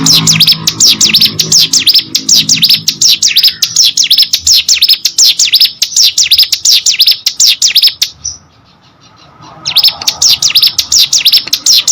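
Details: Hill prinia pet bird singing energetically, piercing high notes rattled off in quick rhythmic series for eight seconds, a short silent break, then the same rapid zigzag phrases resume.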